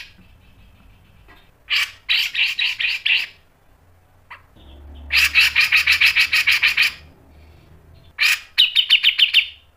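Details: Used to train and provoke other birds, a grey-cheeked bulbul sings harsh 'mbeset' phrases: three separate rattling trills of rapid, evenly spaced buzzy pulses, the middle one longest, with short silences between and a low hum underneath.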